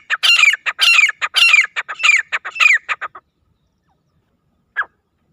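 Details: Wild francolin (teetar) calling, used for hunting: a loud, harsh series of ringing, grating notes in quick repeated phrases for about three seconds, then silence and one final isolated note.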